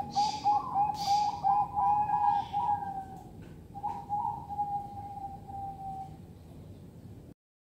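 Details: Caged female Bangkok-type zebra dove bought online, whose voice disappointed the buyer: a quick, even run of soft, mid-pitched cooing notes that rise slightly and then fade away, with a few breathy bursts of noise at the start.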